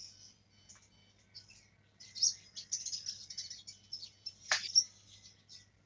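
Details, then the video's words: Black-throated canary youngster learning to roll its song (ngerol): quiet high notes, then a busy run of shrill twitters with one sharp descending sweep near the end, over a faint low background hum. "Blackthroat muda belajar ngerol"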